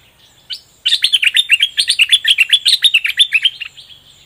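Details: Fully feathered bulbul kept in a cage delivers doubled-note song, one sharp opening note and then a long quick string of bright, bubbly, dipping whistles for nearly three seconds.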